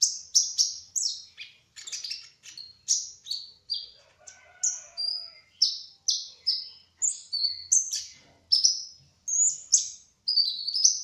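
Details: Olive-backed sunbird, spotted trotol form, in long ngerol song: a steady, rapid chain of sharp high chirps and slurred whistles, several notes each second, almost without a break.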